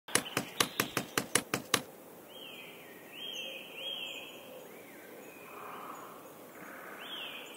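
A great spotted woodpecker raps wood with eight sharp, hard knocks in under two seconds. Then it stops, and other birds give thin whistled notes in the background.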